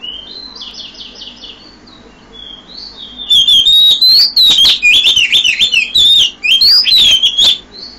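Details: Oriental magpie-robin singing at 5 a.m.: faint trilled notes, then a loud, rapid run of varied whistled phrases rising and falling, clipped and intense, delivered close by.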